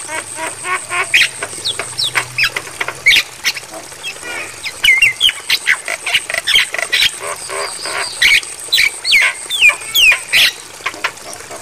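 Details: Jalak kebo, Javan myna, singing on a tutoring recording for captive mynas, suggested for playing at night: irregular chatter of rasping squawks mixed with short whistles and upward-bending notes, busy and uneven throughout.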